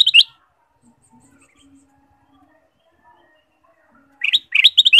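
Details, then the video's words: A ruby-throated bulbul, whose lively song is used to stimulate caged birds, gives a brief note at the start, then falls quiet before a rapid chattering, bubbling phrase of sharp notes at the end. "pancingan kutilang emas gacor full variasi"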